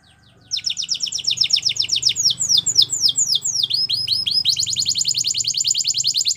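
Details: Belgian canary training song starting after a quiet half second: rapid clipped falling notes, slower swooping phrases midway, then a fast even trill resumes, over a soft low background hum.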